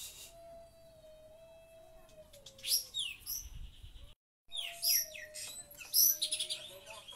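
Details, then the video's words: Oriental magpie-robin song mimicking the kapas tembak. Quiet at first with a low steady hum, then loud high-pitched chattering bursts and downslurred whistles. A brief silent break falls in the middle. "kacer nembak kapas tembak"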